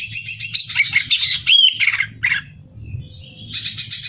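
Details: Caged greater green leafbird in full competition song used as training material: dense high chattering phrases and sharp whistles, a brief pause, then another rapid burst of buzzy high notes.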